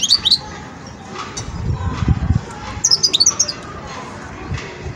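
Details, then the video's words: European goldfinch, a young bird still sorting out its song, gives brief high twittering phrases at the start and a tinkling cluster after a pause, with low rumbling background noise in between. "جان مقنين ويداني في مرحلة فرز التغريد"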